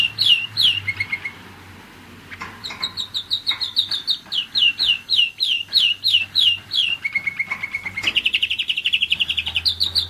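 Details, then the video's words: A one-year-old German Roller-split canary sings a few slurred notes and pauses briefly. It follows with a long series of down-slurred whistles, a lower even trill, then a fast rolling trill. A faint low hum runs underneath. "german roller-split canary"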